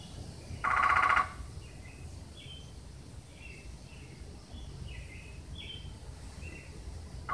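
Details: A red-headed woodpecker, one of a family in a backyard, gives one loud, harsh, raspy call in the morning, and a second begins at the very end; faint high chirps from small birds fill the gap.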